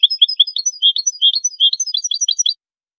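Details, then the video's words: European goldfinch singing in a recording meant for teaching song: a lively string of varied high chirps and short trills, ending abruptly after two and a half seconds. "أجمل تغريد لتلقين#الحسون"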